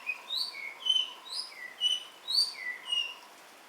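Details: Javan myna chattering while rain falls: a run of varied clear whistled notes, some rising and some falling, delivered in bursts roughly every half second, with high overtones and a steady soft hiss underneath.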